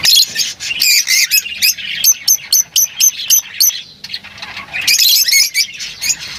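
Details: Lovebirds calling: a run of short sharp high chirps repeated about every quarter second, over busy squeaky twittering at the start and end.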